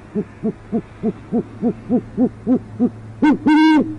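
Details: Urban great horned owl pair, northwest Oklahoma City; the male tries again, no luck, the female unseen but heard. A steady string of soft low hoots, about three a second, ends in two loud, harsh, buzzy calls.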